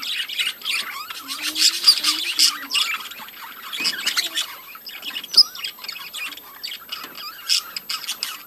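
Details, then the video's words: Breeding colony of budgerigars chattering together: dense overlapping squawks, chirps and warbled notes, bursts rising and falling in loudness over a few seconds, with a faint low hum beneath. "budgies breeding colony"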